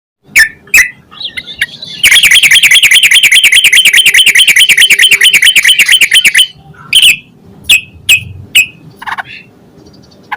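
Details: Yellow-vented bulbul, used as a lure to make other bulbuls sing quickly: a few sharp chirps, then a fast, loud chattering run of repeated notes for about four seconds, followed by scattered clipped calls.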